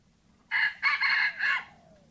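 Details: Wild red junglefowl heard during a junglefowl luring session gives a short, clipped crow in three hoarse, ringing bursts over about a second, trailing off into a fading note, with a quiet background.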